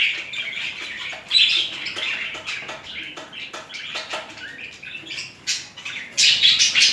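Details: Two budgerigars courting and mating give a busy warble of fast clicks, squeaks and short whistled notes. It swells into loud, dense bursts near the start and again at the close.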